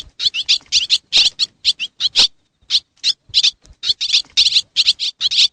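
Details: Swiftlets from Xiangkhouang, Laos, give bursts of high, rapid chirps. The chirps come in quick runs separated by short silences, with no other sounds.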